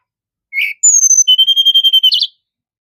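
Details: Sunda robin: a brief chirp, a long high whistle gliding downward, then a fast regular trill of about ten whistled pulses ending in a buzzy flourish.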